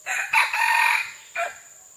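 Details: Red junglefowl recorded on June 12, 2011; a loud harsh crow with a short first note, a long sustained middle section, then a brief final note, rising and falling, with faint background noise.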